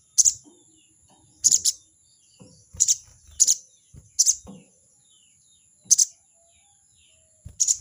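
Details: Crested jay repeatedly sounding its 'crecet' call at a rival: seven short, harsh, buzzy bursts, several doubled, spaced irregularly about one second apart, over a steady high whine.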